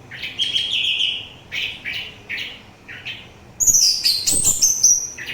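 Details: Orange-headed thrush song played for stress relief and as a lure for its own kind and other birds: warbled phrases near mid pitch, then a burst of high, rapid, sweeping whistles with some mimic-like notes.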